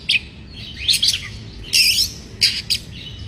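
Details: Oriental magpie-robin in breeding condition, used to provoke rival birds: a few harsh, buzzy, broadband bursts and a brief whistled note, spaced irregularly with gaps between, over quiet low background noise.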